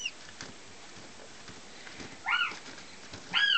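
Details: Female goshawk hatched in 2009, a German x Finnish cross in her first year, makes two loud, slightly lower whining calls about a second apart, each swelling and sliding downward, amid faint rustling.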